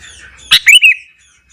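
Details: Morning song of a sooty-headed bulbul meant to rouse rival bulbuls, one short phrase: a sharp bright note followed by two liquid, slurred whistles over a low background hum.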